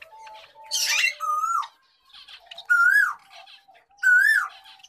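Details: A wild-gray Java sparrow gives three rich, nasal notes about a second and a half apart, each rising then falling, after a harsh burst of noise, in a small room.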